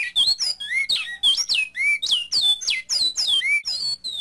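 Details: A Double-collared Seedeater gives the classic "bicudo" song type as a tutor recording for teaching birds: a fast, unbroken warble of high, slurred whistles and sharp chips, each phrase sliding down or up several times a second.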